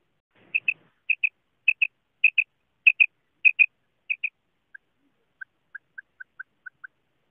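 A female quail gives sharp, high, doubled notes about twice a second, then a run of softer, lower single notes. No other sounds are heard.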